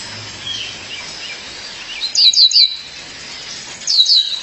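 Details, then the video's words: Female violaceous euphonia calling her mate: after two quiet seconds, a quick burst of three bright, high, downslurred chirps, then another pair of sharp chirps near the end, over faint background hiss. "Fêmea de Guriatã, chamado seu parceiro"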